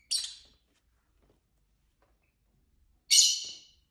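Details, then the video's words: Pet lovebirds kept as a household flock, with singing, chirping and squabbling among them: two loud, harsh, high chirps, each a short burst that fades, about three seconds apart, with near silence between. "Lovebird Craziness (singing & chirping & fighting sounds)"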